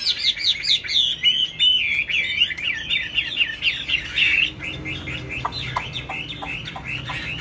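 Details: Caged laughingthrush flapping its tail and singing high: a fast rattling stream of whistled zigzag notes, about four a second, then thinner scattered chirps and clicks in the second half.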